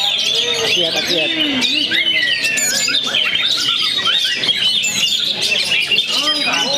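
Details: Young Oriental magpie-robin from Perbaungan, singing after its moult: dense, rapid run of varied whistled and chattering notes, with sweeping slurs and quick trills mostly high-pitched, continuous throughout, faint voices underneath.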